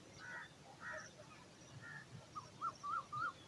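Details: Eagle chick, hungry and waiting for food in its nest, gives a few hoarse calls, then a quick run of thin, wavering rising-and-falling whistled notes against a low background hum.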